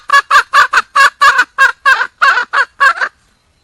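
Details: A junglefowl hen calling for a male utters uneven pairs and singles of coarse clucks for three seconds, then falls silent.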